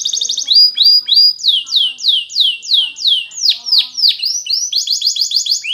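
A Timbrado canary sings a rapid metallic trill, then loud sweeping down-slurred whistles about three a second, ending in a high rolling trill.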